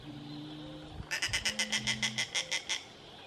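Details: A juvenile snail kite at Lagoa do Queimado, Pendências, Rio Grande do Norte, Brazil, gives a harsh, cackling chatter of about a dozen rapid, raspy notes over a faint low rumble.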